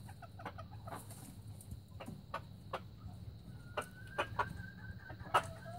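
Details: Young red junglefowl recorded in 2019, giving a thin, drawn-out tonal crow attempt that holds a steady pitch, amid scattered clucks and sharp clicking knocks over a low background rumble.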